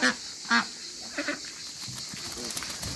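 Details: African geese and other waterbirds kept in a backyard farm. Two loud, nasal honks come half a second apart, followed by softer, scattered calls over steady background hiss.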